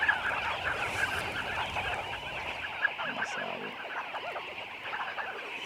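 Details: Thousands of sandgrouse gathering at a small desert waterhole in northern Namibia, a restless mass of birds: many overlapping calls blend into a thick, busy chatter, with a few sharper notes standing out, fading slightly toward the end.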